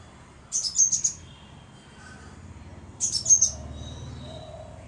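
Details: Crimson sunbird calling: two bursts of very high, thin, rapid chirps about two and a half seconds apart, each a quick stutter of three or four sharp notes over a quiet background.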